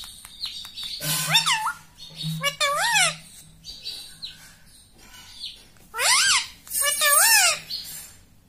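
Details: A pet talking rose-ringed parakeet repeats harsh, nasal, speech-like "mummy" in short two- or three-syllable bursts, with sweeping squawky tones between them.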